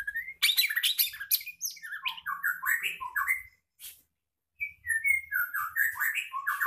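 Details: Captive white-rumped shama of the blorok type, a breeding-farm bird still moulting and regrowing its tail, singing a fast varied song of rapid rolling notes, whistled slurs and harsh chatters, with a short pause in the middle.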